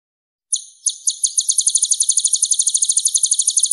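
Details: Purple-throated sunbird, known in Java as kolibri ninja, singing a clear, high-pitched song. It opens with a few separate sharp notes, then settles into a fast, steady run of bright, tinkling pulses with no other sounds.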